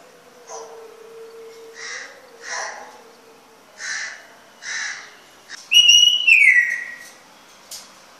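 A grey parrot gives a low steady hum, then five harsh nasal squawks about a second apart, and ends with a loud, clear whistle that slides downward.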